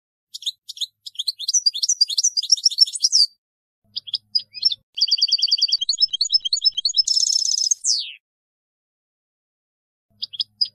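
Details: White-throated goldfinch (European goldfinch) recorded 2022–2023 sings rapid, tinkling, high twitters in bursts of a few seconds, mixing liquid notes with a fast buzzy trill. Brief pauses fall between phrases.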